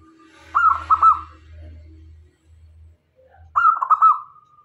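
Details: Local zebra dove singing keenly as a lure for wild male and female doves: two short trilled coo bursts separated by a steady low droning background, each phrase rapid and pulsing.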